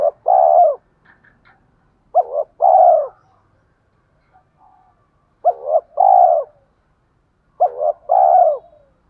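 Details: Decoy spotted dove, thổ pha voice style, cooing to lure wild doves to fight: four phrases roughly two seconds apart, each a stuttered short note and a sustained mellow coo, in a quiet setting.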